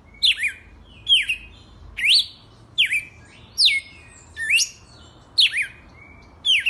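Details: Owned red-cowled cardinal delivering the wild-type 'selvagem raiz' song: crisp whistled notes that dip and rise, given in a brisk series roughly every second, with an occasional short trailing note and quiet low room noise.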